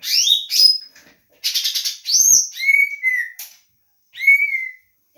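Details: Leafbird singing vigorously with a song filled with doraemon-style material: bright whistled notes sliding between roughly mid and high pitch, some rising sweeps and a quick buzzy burst, delivered in short phrases with brief pauses.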